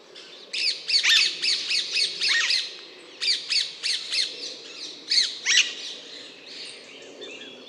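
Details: Rapid, raucous screeching from an Alexandrine parakeet, calls tumbling three to four per second in uneven bursts over a steady background hum.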